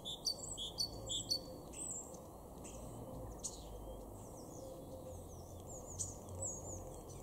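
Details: A great tit in a garden in Weener, East Frisia, north-west Germany, in April 2021, gives sharp, high chirps, quick clustered notes at first, then scattered thin calls, over a steady low background rumble.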